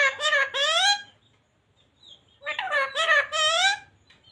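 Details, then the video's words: A pet ringneck parrot says "radhe radhe" twice in a small room. Each rough, harmonic, human-like phrase lasts about a second, and the two are split by a quiet pause with faint background twittering. "Parrot talking radhe radhe | राधे राधे बोलने वाला तोता"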